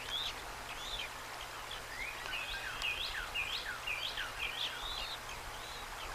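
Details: Nest feeding of bald eagle eaglets on March 25, 2024, an adult offering trout to the older chick, a day old, and the just-hatched youngest. Rapid run of sharp, thin chirps, slurred up and down, nearly two per second, with constant low hum.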